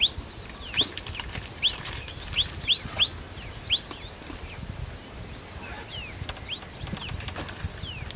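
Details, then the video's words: Common Tailorbird giving a type 3 call: loud, sharp rising notes about one per second in uneven runs, with fainter falling calls from another bird behind. "Common Tailorbird Call"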